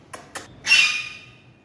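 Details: A talking parrot gives two soft clicks, then one loud, harsh squawk that fades into a thin, steady whistle-like tail.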